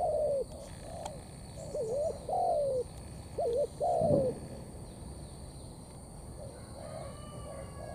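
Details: Spotted dove, wild-caught, cooing in the thổ pha cấn sấm style: a falling coo, then two phrases of a hooked double note and a long descending coo, followed by quieter distant cooing and a faint thin whistle.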